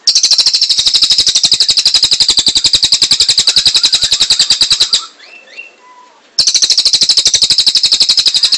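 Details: Cililin singing a long, rapid, buzzy trill of evenly repeated high notes, broken by a short pause with a few faint chirps before the dense trill resumes.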